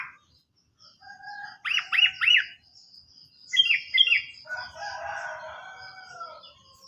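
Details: Sooty-headed bulbul lure song for stalled or untrained birds: sharp rising notes in a quick group of three, another pair of clipped notes, then softer, lower warbling phrases.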